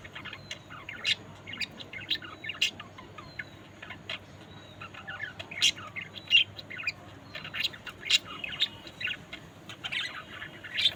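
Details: A flock of budgerigars keeps up a steady, scattered warbling chatter, with thin high chirps and occasional sharper squawks standing out throughout.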